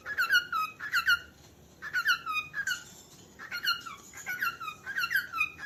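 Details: Cockatiel calling in a small room: clusters of harmonic squeaky chirps with falling pitch, given in short bursts about once a second, with brief quiet gaps between.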